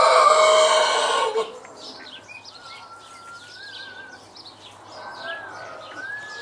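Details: Citron-crested cockatoo giving one loud, harsh, raspy screech lasting well over a second. A quieter stretch follows, with thin whistled tones and faint chirps in the background.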